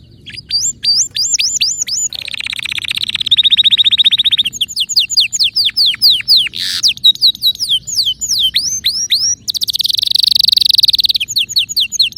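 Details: Singing canary delivering distinctive notes: repeated looping whistles, a long fast buzzing trill, downward-sweeping notes repeated steadily, then another dense rapid trill.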